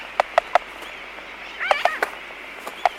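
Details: Laysan albatrosses clicking in their colony at close range: three quick knocking clicks, a short buzzy wavering call with more clicks, then a final single snap.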